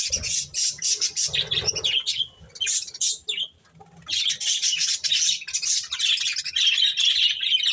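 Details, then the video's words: Budgerigars eating corn give high scratchy chirps and warbles, pausing briefly near the middle before a steady chattering stretch, with light rustling. "Cute Budgies Enjoying Eating Corn | Love Birds Chirping Sounds"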